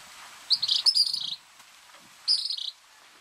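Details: A grey kingbird (Tyrannus d. dominicensis) at Viñales, Cuba, in July 2017 gives two shrill, buzzy chattering bursts, the first about a second long and the second shorter, high-pitched against a quiet background.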